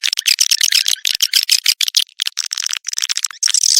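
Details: Swiftlet birahi (mating) lure sound, used to attract swiftlets: dense, rapid high chattering clicks and chirps in quick bursts, with brief gaps throughout.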